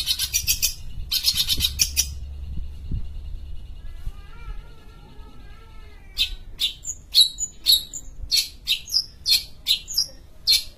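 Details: Long-tailed shrike from Sumatra singing: harsh scratchy bursts at first, then a soft run of faint warbled notes, followed by a rapid series of sharp, loud chips and whistles.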